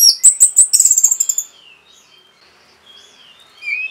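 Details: Orange-headed thrush rapid 'rapet' song meant to excite other birds; quick loud high chirps accelerating into a trill over a second and a half, followed by soft distant twitters and a thin rising whistle.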